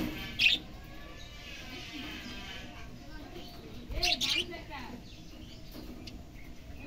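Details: Pet budgerigar in the morning just after waking up, giving a short high bright chirp near the start and a quick burst of scratchy chirps about four seconds later, over a faint low murmur and soft background chatter.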